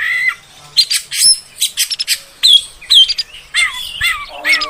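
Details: Oriental magpie-robin female, its voice used to rouse males into song: harsh scratchy bursts alternating with sharp, clear whistled slurs and short descending notes, given in quick uneven phrases.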